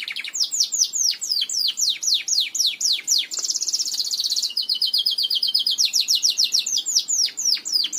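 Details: Song of a Belgian canary for training young canaries to sing: a steady run of falling whistled sweeps about four a second, broken by a dense rapid roll, then an even trill and more swept notes, loud and continuous.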